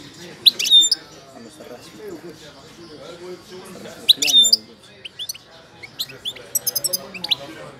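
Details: Moroccan goldfinch of the wild Wedani song type, singing during its moult: bright, high twittered phrases with sharp metallic notes, then a scatter of quick chirps and a tinkling trill, over faint low voices.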